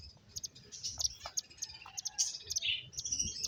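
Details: Finches chirping while playing, giving high, thin, clipped chirps in irregular bursts over a soft low background hum.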